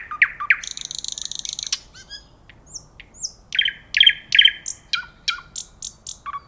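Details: Nightingale song with quick rising notes, a harsh buzzing trill, then loud repeated chuckling notes and sharp whistles in rapid, varied succession.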